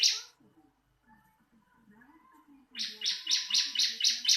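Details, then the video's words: Bar-winged prinia, tutoring recording: one short high note, a quiet stretch with faint low background sounds, then a quick string of about seven bright, buzzy, evenly repeated notes. "Marteran burung ciblek langsung bunyi"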